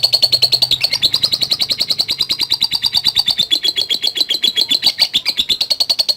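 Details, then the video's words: Lovebird giving a long ngekek chatter in the rapid ngetik style, used as a lure to provoke fighter lovebirds: an unbroken run of high, dry, buzzy pulses at about seven per second, steady throughout, recorded indoors. "Love Bird NGETIK Latah Gacor Ngekek Panjang | AMPUH Pancingan Love Bird Figter"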